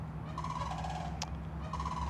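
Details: Sandhill crane (Antigone canadensis), call.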